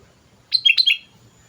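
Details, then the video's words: Sooty-headed bulbul song used as a lure for other birds, a short burst of bright, liquid chirps, three quick bubbly notes dropping slightly in pitch within half a second, then quiet. "pancingan suara burung kutilang gacor"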